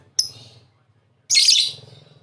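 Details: Lovebird giving two harsh, high chirping bursts: a brief sharp note, then after a pause a longer, denser rasping burst. Faint low hum in the background.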